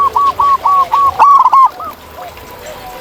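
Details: Wild zebra dove in nature delivers a quick string of staccato, rounded cooing notes. The notes rise in loudness and then trail off into fainter, softer echoing phrases against low background noise.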